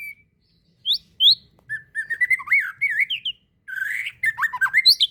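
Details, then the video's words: White-rumped shama (murai batu), fighter masteran song: a few isolated rising whistles, then rapid runs of wavering whistled notes and tumbling chatter. "Masteran mury batu fighter"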